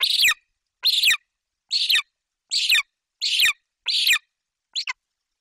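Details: Golden eagle chick Zenit, on 28 July 2021 in Bucovina, screams with excitement as its mother flies in with a Eurasian magpie: harsh, high, rasping screams, seven bursts under a second apart, the last shorter and broken.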